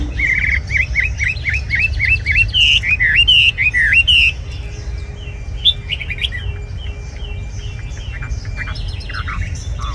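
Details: Red-whiskered bulbul, a caged bird, singing a series of clear whistled phrases, a fast string of rising and falling notes over the first four seconds, then quieter scattered phrases, with low steady background hum throughout.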